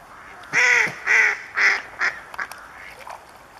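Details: Bewick's swan (Cygnus columbianus) at České Budějovice, Czech Republic, in February 2014: three loud, nasal honking calls in quick succession, then a shorter fourth note and a few softer clipped notes fading out.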